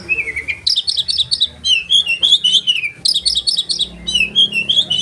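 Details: Rolling, sharp-voiced song of an oriental magpie-robin for training caged birds, with quick repeated chatter phrases between descending whistled notes, steady and loud throughout.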